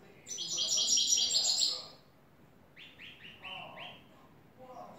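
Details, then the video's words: European goldfinch, a new bird, singing clean "tres vueltas" style song. A bright, rapid high twitter is followed by a row of five short descending notes, with soft background hum. "Jilguero a cante limpio " el tres vueltas""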